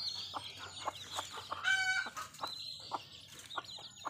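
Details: Mother hen with her baby chicks in a village: soft regular clucks pulse about twice a second, while the chicks' thin high peeps chatter continuously above.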